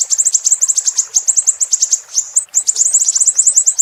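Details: Siri-siri bird singing, used as a training recording for songbirds to copy: a fast run of thin, very high chirps, several a second, each note a quick downslurred tick, nearly continuous with one brief pause.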